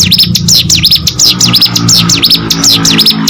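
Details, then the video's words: Ciblek gunung, or hill prinia, in full active song: shrill, rapid zigzag notes sweeping down and up, strung together almost without pause, with a faint low hum beneath. "burung ciblek gunung gacor"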